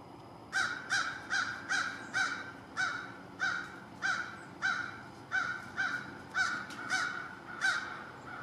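An American crow gives a steady run of about fifteen harsh, hoarse caws, roughly two every second, over a faint outdoor hiss.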